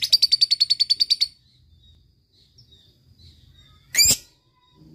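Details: ['Lovebird ngekek used to lure lazy birds into song: a quick run of about twelve high chattering pulses lasting just over a second, then quiet with faint low rumbling, broken by one loud harsh squawk.']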